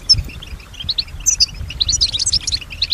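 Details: Caged female European goldfinch singing softly: scattered high chirps and sharp tinkling notes building into a quicker twitter, over quiet low background noise.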